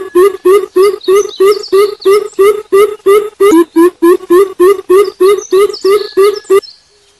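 A greater coucal gives a long, steady run of deep, hollow hoots, about three per second, nearly twenty in a row, with faint chirps of small birds behind.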